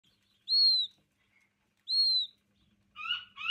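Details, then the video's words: A button quail chick weighing two grams gives two clear, high whistled peeps with a slight downward curve, about a second and a half apart, followed by two shorter buzzy chirps with layered harmonics. "2 Gramm Button quail chick"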